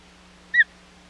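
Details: Osprey at the Hog Island nest on 25 July 2020, during a failed fish delivery attempt by the male; a single short, bright whistled chirp with a higher overtone, over a steady low hum.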